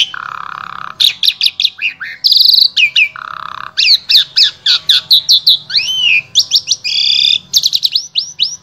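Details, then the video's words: Asian pied starling in Wonosobo, Central Java, Indonesia, giving a rich, varied song meant to teach other starlings: rapid dense run of clicks, squawks, buzzy notes, looping whistles and rising slurs with barely a pause. "Jalak SUREN SUPER GACOR Full Isian Sangat Ampuh Dijadikan Guru Vokal Jalak Trotol"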